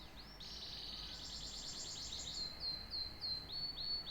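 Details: Rapid, buzzy trill from a canary, then a series of clear, upward-flicked whistled notes repeated about three times a second.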